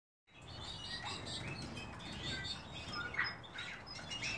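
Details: Lawrence's goldfinch at rest giving quick, high twittering chirps, several notes a second in an irregular stream, over a low steady rumble of background noise.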